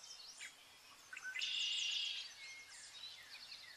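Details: Zebra finches, shown as entertainment for cats. Scattered high chirps lead into a loud, harsh buzzy note lasting almost a second, followed by softer twittering and short whistled slurs.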